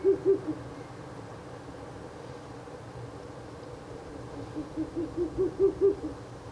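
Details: Night recording of a Ural owl visiting its nest box, 16 April 2024; a quick run of deep hoots opens, then silence, then a longer rising series of soft hollow notes growing louder toward the end.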